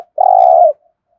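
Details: Single long coo from a spotted dove used as a lure for wild doves: one loud, level, buzzy note lasting about half a second, with clean silence around it.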